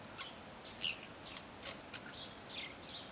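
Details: Tui in a cabbage tree giving a short run of varied high notes, bright chimes and brief whistles, some clustered closely, against a steady faint hiss.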